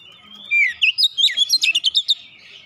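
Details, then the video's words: Oriental magpie-robin song used as a lure to get other magpie-robins singing: after a quiet half second, loud clear whistles slide and twist, then a fast string of about ten sharp, high chirped notes. "PANCINGAN Kacer makin bunyi makin gacor tiap hari"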